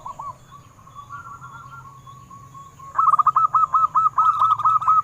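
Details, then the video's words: ['Local wild-type zebra dove song, used as a lure to set captive doves singing: faint soft cooing at first, then a loud run of quick, rhythmic rolling coos in the last two seconds, with a steady high hum behind.'] "Perkutut Lokal BIKIN GEGER - Suaranya mengundang BUNYI"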